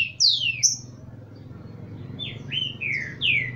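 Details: Heated male rufous-collared sparrow (tico-tico) from a breeder's birds kept with females: clear, sweeping descending whistles, an opening pair, a gap, then four more spaced notes over a low background hum.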